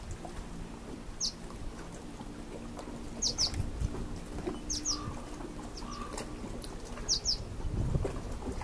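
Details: Purple martin nestling being fed, 25 July 2013 at 13:58, giving brief, high, thin chirps in quick pairs every second or two over a steady low hum and soft rustling.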